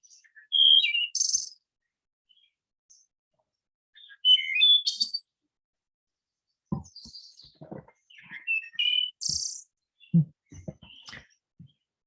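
Three flute-like Wood Thrush phrases, each a few clear mid notes ending in a high, shimmering two-voiced trill, spaced about four seconds apart; low knocks and thumps sound behind.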